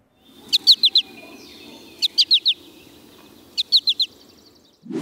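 American Goldfinch flight calls: three bright, high four-note bursts, 'po-ta-to-chip', about every one and a half seconds over a low background hum.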